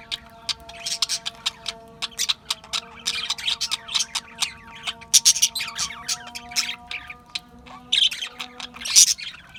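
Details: Chirping budgies, Australian parrots, give bursts of harsh squawks between quick scratchy warbles, loud peaks every second or so, above a constant faint hum.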